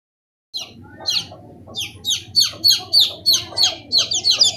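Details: Chicken chicks peeping in a steady stream of high, shrill, downward-slurred cheeps, about three per second, rising in loudness after a brief silence, with a low hum underneath.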